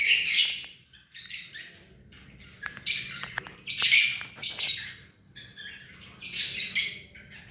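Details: Pet hand-tame ring-necked parakeet chattering: harsh raspy squawks mixed with quick clicking notes, loud bursts coming in irregular groups with brief quiet gaps between.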